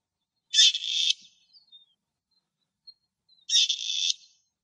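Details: Wild grey partridge in Greece giving two harsh, grating, rusty-hinge calls, each about half a second long and three seconds apart, in otherwise quiet surroundings.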